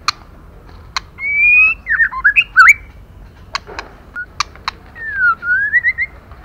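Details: A female white-rumped shama calls to stimulate males. A rising whistle leads into quick twisting whistled phrases, then scattered sharp clicks, and ends with a falling then rising whistle.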